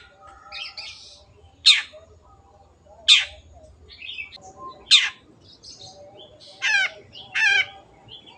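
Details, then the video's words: Long-tailed shrike (cendet) in lively 'gacor' song, used as a training recording for kept birds: scattered harsh buzzy notes and sharp downward strokes, a few chattering bursts near the end, with quiet gaps between phrases. "MASTERAN BURUNG CENDET GACOR"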